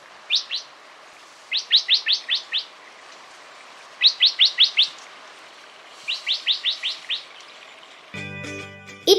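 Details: Yellow-eared Bulbul, a Sri Lankan highland endemic found in small parties in forest canopy, gives quick bursts of four to six sharp, high chirps, repeated every couple of seconds, followed by a brief musical chord at the end.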